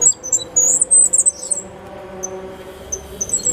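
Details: Caged five-month-old Cuban grassquit singing its loud, clear silva australiano song with a tutor-learned trill: quick, very high, squeaky twitters and slurred notes running together, with a steady low electrical hum in the background.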